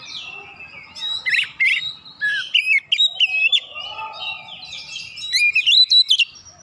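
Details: Oriental magpie-robin song used to rouse other magpie-robins into singing. Rapid, varied whistled and buzzy phrases jump between high and mid notes in short bursts, with faint low background rumble.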